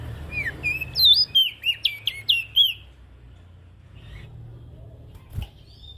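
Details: Ashy prinia calling, used as a lure for small birds: a quick run of about eight sharp, downslurred chirps over under two seconds, then near silence with a low background hum and a faint distant note.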